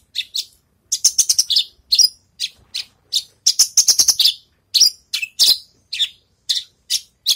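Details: Javan bush lark after moulting, practising its songs; rapid bursts of high, sharp chirps and trills, separated by brief pauses, varied notes with some clustered into fast rattling runs, clean with no background.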